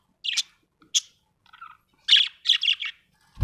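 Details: Happy budgerigar giving quick, scratchy chirps and chattering warbles in short bursts, a few soft notes between louder clusters, ending with a low thump.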